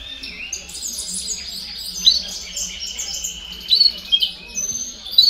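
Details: Canary singing meant to encourage young birds to sing faster: a softer, blurred wash of high trills with a few sharp whistled notes standing out in the second half.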